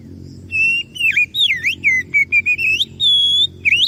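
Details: Oriental magpie-robin song used as a lure to make other birds answer: loud clear whistles, slurred rising and falling notes and short chopped phrases, ending in a long steady high whistle and a final upward flick; faint low hum beneath.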